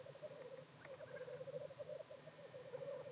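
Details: Black grouse performing at their traditional lek near Llandegla Forest and World's End, North Wales, on 25 February; a steady, rapid bubbling chorus of low cooing notes runs throughout, with faint hissing strokes above and a low rumble beneath.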